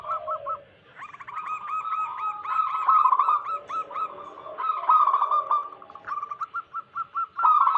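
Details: ['A group of zebra doves of local wild stock sings to lure wild doves. Rapid coos overlap in a dense, continuous run of hurried notes. A few soft, separate notes come near the end.']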